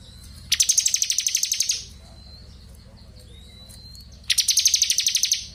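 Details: Crystal blue robin in energetic ngebren song, used as a training recording for magpie robins: two dense, buzzy high trills of rapid pulses, each about a second long, separated by a pause with a faint thin whistle and low background hum.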